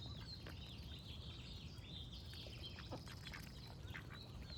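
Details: Duck quacks, brief and faint, set against a continuous backdrop of high trilling and twittering birdsong with a low rumble underneath.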